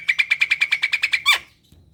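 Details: Javan myna in prolific song meant to provoke quiet kept birds: about eleven crisp identical notes at an even pitch, roughly ten per second, finished by a louder downward-sweeping squawk.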